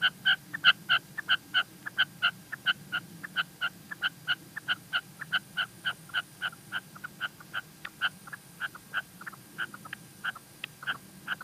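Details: Female red-legged partridge call from La Mancha, Spain, given as a long series of clipped, ringing chuck notes, fairly quick and slightly uneven in spacing, the early notes loudest, with a faint low rumble beneath.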